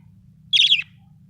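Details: A happy budgerigar gives a single short, harsh, buzzy chirp lasting about a quarter second, with a faint low hum in the background.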